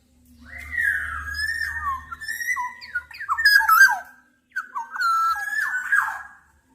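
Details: Black-naped oriole repeating two long phrases of clear whistles, each a sustained note breaking into rapid slurred liquid notes, separated by a brief silence.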